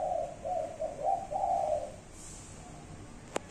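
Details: Spotted dove giving its five-note cooing, rendered 'cục... cu cu...cu ...cu': one phrase of soft, low hollow coos over about two seconds. A faint click follows after a quiet gap.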